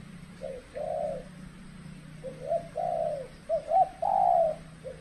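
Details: Spotted dove in cold-season decoy trapping, when the birds respond with little boldness; mellow two-part coos, a short lead note then a drawn-out falling coo, repeated several times, with a low steady hum beneath.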